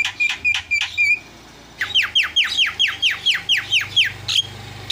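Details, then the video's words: Starling sound meant to make stuck starlings start singing: a few clipped whistles, a brief pause, then a fast regular series of about a dozen downward-slurred whistled notes, with a faint background hum. "SEKALI PENCET JALAK LANGSUNG PADA CEREWET"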